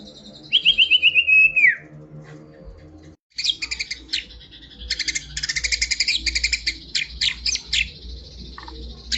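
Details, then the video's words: White-rumped shama song opening with a long, trilled whistle that falls away, then after a short gap a lively string of rapid chattering, buzzy notes repeated in quick bursts. "murai batu"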